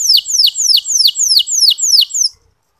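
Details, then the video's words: Soft ngeriwik song of a canary, played to encourage lazy male canaries to sing: seven high, descending whistled sweeps at an even pace, about three per second, ending in silence. "Suara Kenari Ngeriwik Halus"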